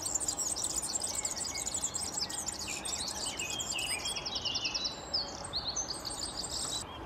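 European serin delivering a fast, very high, glassy jingling that runs on without pause, with faint background noise beneath.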